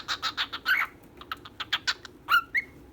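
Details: A female and a male pet bird chirp. A run of rapid dry clicks comes first, then brief whistled notes and a few sliding tweets, loosely spaced.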